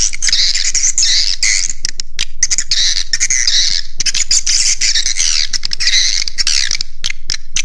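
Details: Swiftlet call used to lure birds: dense, busy chattering of high, scratchy twitters and squawks tumbling over one another almost without pause, with music in the background.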